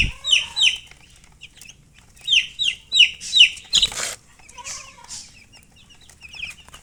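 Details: Chicken chicks chirp in bright, falling peeps, first in pairs, then a run of four, broken by a short burst of rustling noise, then softer scattered peeps.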